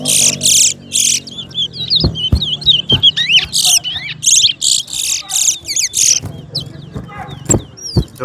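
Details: Towa towa, the chestnut-bellied seed finch, in a singing contest between West Coast and West Bank birds: a fast, varied warble of sweeping whistled notes, broken by loud hissy bursts, with sharp knocks and counting voices.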